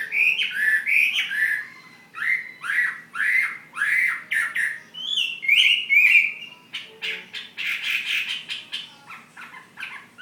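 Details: Chinese hwamei, a fighting bird from Hà Giang, singing loud varied whistled phrases, slurred notes rising and falling, repeated in quick runs, ending in a denser burst of buzzy, rapid notes.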